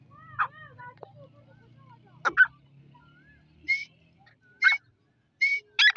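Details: Calls of a female Dakni Irani grey francolin, one of a newly acquired kept breeding pair in breeding season: short harsh bursts repeated roughly once a second, over softer whistles from other birds and a low hum.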